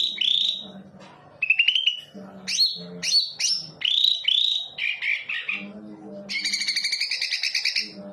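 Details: Greater green leafbird song used as a lure to provoke singing: loud varied run of whistled, slurred and buzzy phrases, rising and falling notes, ending in a rapid rattling trill, with faint low hum beneath.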